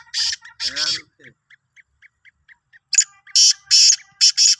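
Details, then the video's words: Sindhi black francolin: two rough bursts, a run of evenly spaced soft ticks, then a rapid phrase of five loud, grating, buzzy notes. "Kala Teetar ki Awaz"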